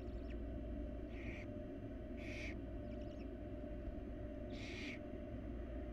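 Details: Barn owl young in a wild nest box beg as their mother feeds them. Four raspy hissing screeches come at irregular intervals, mixed with faint high chittering, over a continuous low hum.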